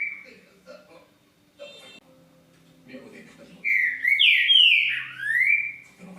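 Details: Green-winged saltator: faint background sounds at first, then a loud run of full, slurred whistles rising and falling in pitch, closing on a drawn-out rising note.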